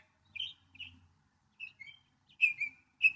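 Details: Northern mockingbird singing short, varied chirping phrases, some repeated, with brief pauses between bursts and a faint low hum beneath.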